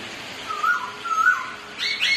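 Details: One of two Black-throated laughingthrushes trading songs and dancing gives two short wavering whistles, then a higher bright whistled note, over faint background hiss.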